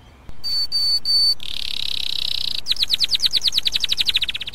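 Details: A pet canary (Serinus canaria) sings bright whistled notes, a sustained trill, then a fast run of sweeping chirps.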